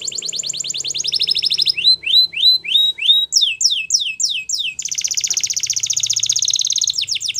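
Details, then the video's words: Russian singer canary performing a flute-style training song: rapid trilled tours of repeated high notes, shifting to slower rising swept syllables around two seconds, then steep descending slurs, then a long fast buzzy trill. Background is otherwise quiet. "Russian Canary Flute Singing"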